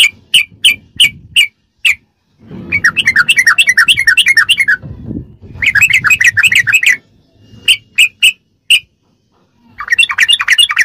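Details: Sooty-headed bulbul song in the rapid ropelan style, used as tutoring audio for captive birds: isolated sharp chirps alternate with long, fast chattering runs of wavering notes, over soft low background rumble.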